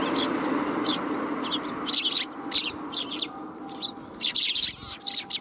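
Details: Sparrows gathering to be fed at a Tenmangu shrine, 1 January 2021, giving dense bursts of high, scratchy chirps that come in quick clusters, with a faint steady tone and low rumble beneath.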